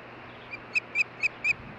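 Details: Osprey pair at their nest in Hellgate Canyon, Missoula, Montana, on June 14, 2015, captured by a nest camera. Five short, sharp whistled chirps follow one another quickly over a steady background hiss.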